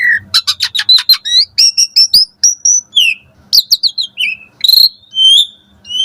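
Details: Asian pied starling singing busily in the morning, richly varied song used to tutor caged starlings: rapid chattering notes, clear sharp whistles in quick succession, then slurred falling phrases and a brief harsh note.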